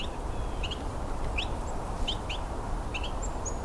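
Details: Two Carolina wrens, one near and one distant, calling in winter on a Christmas Bird Count; brief upslurred high chips in small clusters, over loud constant low noise.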